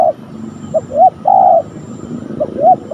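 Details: Spotted dove (tekukur), a young decoy bird in training on the ground, with a fierce wild spotted dove met at the site; mellow cooing phrases of two or three short notes, each ending in a longer drawn coo, over rural background noise.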